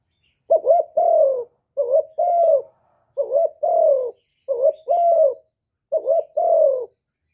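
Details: Spotted dove singing in hạp bổi voice, with calling, urging and cooing, recorded live without background noise; six soft two-part coos, a quick warbled note leading into a sustained descending coo, evenly paced.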